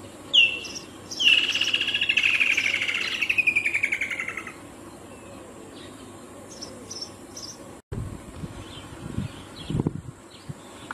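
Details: A Woodland kingfisher gives a sharp, high note, then a long, fast trill that slides down in pitch, followed by faint insects and a few soft knocks.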